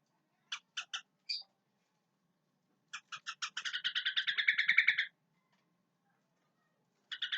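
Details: Sooty-headed bulbul in its natural voice: a few spaced harsh notes, then a rapid run of rasping pulses that speeds into a dense rattling burst lasting about two seconds, and a fresh burst at the end.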